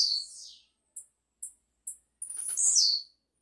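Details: A Blue-black grassquit, apparently a strongly singing "campainha" type, sings thin, high notes: a falling opening note, three quick ticks half a second apart, then a buzzy, sliding final phrase.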